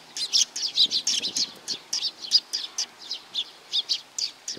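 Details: Sparrows gathering for food at a shrine in Nakanoshima, recorded 7 June 2020: a dense run of short, sharp chirps repeated several times a second with overlapping birds.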